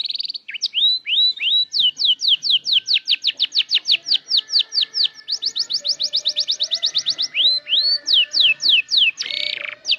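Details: Canary that has begun learning sounds and arranging its song: a long, fast series of high descending whistled sweeps, several rising slurred whistles at the start, and a brief buzzy burst near the end.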